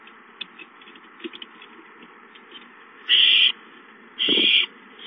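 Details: Owlets in their nest on 5-9-13 give two rough, hissing screeches, each about half a second long and roughly a second apart. Soft scuffling sounds play in the background.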